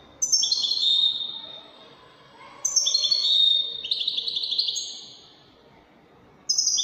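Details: Widani goldfinch song: three separate bursts of high, fast, tinkling twitters, each lasting about a second and a half, with quiet gaps between them.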